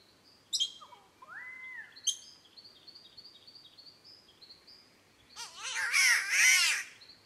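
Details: Australian spotted catbird making its cat-like call, a loud wavering, harsh yowl of about a second and a half that rises and falls in pitch. Before it come thin high whistles and a rising whistled note from other birds.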